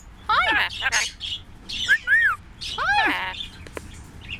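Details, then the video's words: A pet parrot talking and being silly chatters in bursts of harmonic, speech-like syllables with arching, rising-and-falling tones, mixed with squawky whistles and short clicks. "Moe talking and being silly, silly funny parrot"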